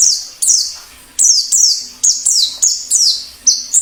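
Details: High, sharp descending whistles repeated in a steady series about every third of a second, each note dropping quickly in pitch, from a wild white-eye in 'ngalas' style song used for training captive birds and trapping wild birds, with a faint low hum behind.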